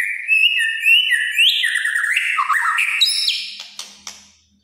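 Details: White-rumped shama pours out kretekan song: a continuous string of varied whistled phrases with fast upward slides and trills, stepping between pitches before a few clicks end it.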